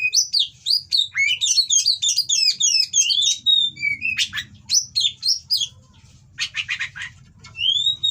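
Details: Oriental magpie-robin from a breeder giving its harsh 'kacer kawin' mating song, used as a training song to anger rival birds: rapid sweeping whistled phrases, then short scratchy buzzes near the end before a final clear whistle.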